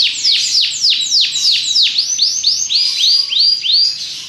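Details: Belgian canary singing a loud series of sweeping downslurred whistles, about four per second, shifting midway to a softer repeated rolling phrase; no other sounds stand out.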